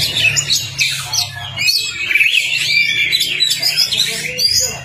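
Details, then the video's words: Kacer tutor song, Oriental magpie-robin, meant to trigger a silent bird: looping whistled phrases and quick chirps, rising and falling in bursts, over a low steady hum. "PANCINGAN KACER CEPAT ON NGOBRA... masteran Kacer macet"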